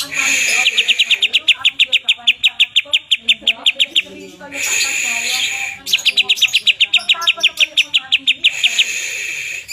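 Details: Greater green leafbird from a group of twelve kept singers: long rapid series of sharp, evenly repeated chip notes, about three per second, broken by a short pause, with buzzy background noise.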